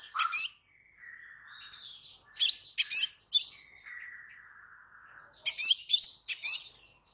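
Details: Crimson sunbird calling in bursts of piercing high chips, two to four at a time, with a faint, thin, slowly falling whistle drawn out between the bursts; no other sounds.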